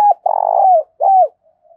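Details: Closing part of a spotted dove coo in 'thổ' style touched with 'đồng': the end of a hoot, a long buzzy purring note curving downward, then a last falling coo, followed by faint soft sounds.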